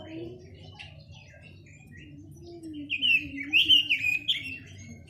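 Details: Chinese hwamei singing: soft, scattered whistles at first, building to a louder run of slurred, warbling phrases in the second half, over a low steady hum.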